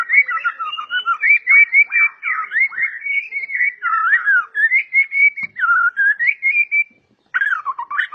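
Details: White-rumped shama of a super-quality line, valued by Indonesian hobbyists for its aggressive, agile singing style, delivers a rapid unbroken stream of varied whistled phrases, sliding up and down in quick succession with only one brief pause near the end.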